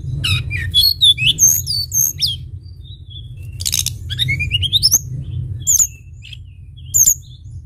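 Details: Sunda bush warbler in full voice: rapid high whistles and trills, a rising run of notes in the middle, then short isolated piercing whistles, over a steady low hum.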